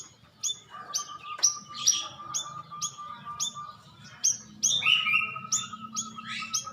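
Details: Black-crested bulbul call used as a lure to make birds answer quickly; sharp, bright chirps repeated about twice a second in uneven bursts, some with short downslurred tails, over a steady faint mid-pitched tone.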